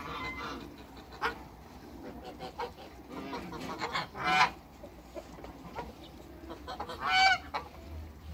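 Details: Three African geese on a farm, met by their keeper for the first time: two loud, harsh, brassy honks, one midway and one near the end, over a low background rumble with scattered faint farmyard noises.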